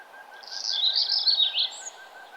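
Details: Sunrise birdsong along a nature trail; one loud, fast, high jumbled warbling phrase fills the middle, with faint repeated soft notes running beneath it.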